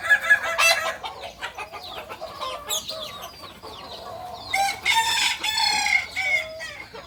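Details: Kukuak balenggek chicken from Solok, West Sumatra, crowing in a short burst at the start and a longer stepped, multi-note crow later, with frequent high chirps from other small birds throughout.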